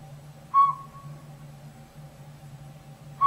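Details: Northern Pygmy-Owl, a tiny robin-sized owl living in an old sapsucker nest hole in a rotted hollow tree in backyard woods, gives two clear, even whistled toots about 2.7 seconds apart over a steady low hum.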